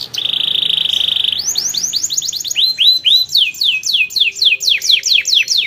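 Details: To stir other birds into song, a canary opens with a flat buzzy trill, then pours out rapid rising and falling sweeping whistles repeated in quick runs.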